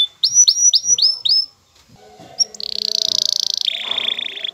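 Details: Excited male canary singing to a female to bring her into mating posture: a run of five rising whistled notes, a short pause, then a fast buzzy trill that steps down in pitch, with faint background noise.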